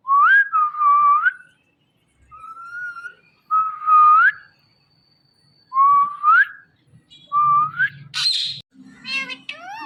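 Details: A pet ringneck parrot talks into a phone, saying 'Mittu Mittu': a string of clear, whistled, meow-like notes that swoop upward, about one every second or two, ending with a brief harsh burst.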